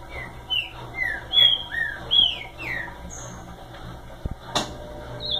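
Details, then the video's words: Ultramarine grosbeak singing a phrase of separate downslurred whistles, some clear and sweet, spaced about half a second apart, followed by a faint high note, a couple of knocks and a sharp click over a low hum. "Azulão bom de canto"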